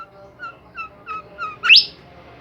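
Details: Bimoli bird singing: five evenly spaced short downslurred whistles about every third of a second, ending in a loud sharp upward-sweeping note.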